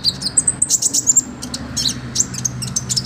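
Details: Olive-backed sunbird, a master recording for training other birds, in constant rich song: quick high thin chirps and short whistled trills in rapid bursts, with a steady low hum underneath.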